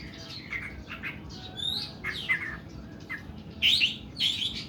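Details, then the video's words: Oriental magpie-robin delivering long, harsh 'nembak' song: varied chirps and upslurred whistles, then loud squeaky, grating notes toward the end. "KACER KUKU BIMA NEMBAK PANJANG & KASAR"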